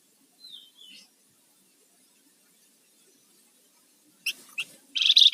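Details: Rufous-fronted laughingthrush used as a training lure and master bird: a soft, thin, downslurred whistle, a pause, then sharp chips and a loud, harsh buzzing burst at the end.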